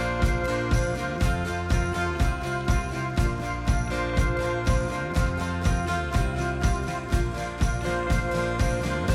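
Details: Jingling, rhythmic music with bell-like tones and a steady beat about twice per second, with no animal sounds.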